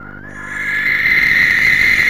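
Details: Barn owl pair, the female larger and darker than the male, in a nest box at 3:16 am on 19 January, greeting and grooming each other; a hoarse, hissing screech swells in loudness and holds steady for about two seconds.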